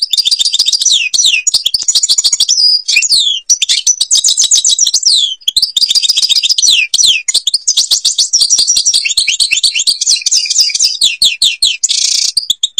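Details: Extended, nearly unbroken warbling of an Algerian European goldfinch: fast, rambling high twitters, slurred whistles and tinkling trills, with brief buzzy notes near the end.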